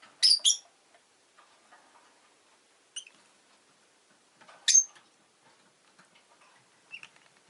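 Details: Two newly arrived pet rosy-faced lovebirds chirping: a quick double burst of shrill, buzzy squeaks, then single sharp calls and soft scratchy twitters in between.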